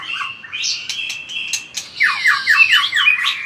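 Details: White-rumped shama singing in fired-up fighting style with vigorous tail-flicking: clear whistled notes held high, then a run of quick downward-slurred sweeps repeated about twice a second, with a few sharp clicks between phrases.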